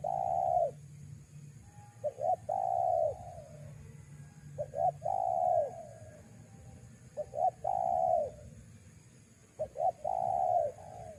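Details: Repeated spotted dove coo phrases meant to lure wild doves: each opens with two or three quick clipped notes and ends in a long, mellow, slightly falling coo, four phrases in steady succession.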